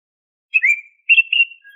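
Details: Two short whistled phrases from an Oriental magpie-robin (kacer): a downward slur, then a steadier trilled whistle, ending on a soft low note. The song is used as a lure to stimulate caged birds to sing.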